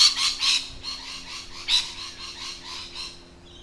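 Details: Rasping, high lorikeet screeches in a fast run of bursts, loudest at the start and fading toward the end, heard from birds in the wild with a low hum beneath.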